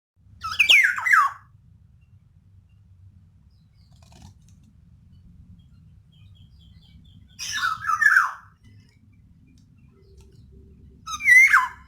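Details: Female black-naped oriole calling, used as a lure to stir males reluctant to sing: three harsh, nasal, downslurred calls spaced several seconds apart, with a faint low hum between them.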